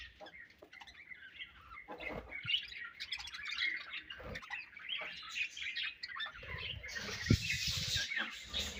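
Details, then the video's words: Softer budgerigar colony chirping, scattered squeaky notes and warbles that build into a denser, buzzy chorus toward the end, with a few low knocks. "Budgies Colony Chirping Sounds"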